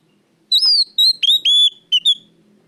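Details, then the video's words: Oriental magpie-robin lure song for caged birds, loud and clear: one phrase of a rising whistle, level sweet notes and short downslurred whistles punctuated by sharp clicks, over faint low hum. "pancingan Kacer gacor suara keras plong"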